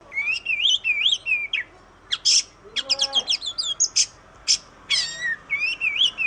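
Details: Oriental magpie-robin song used as a training recording to prompt other birds: loud, varied whistled phrases, rapid chattering notes and sharp high trills, delivered in quick bursts with brief pauses.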